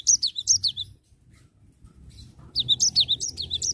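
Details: Energetic rolling song of a cinereous tit: a quick phrase of high, sharp, down-sweeping notes, a short quiet gap with faint rustling, then a longer, equally rapid run of the same bright notes.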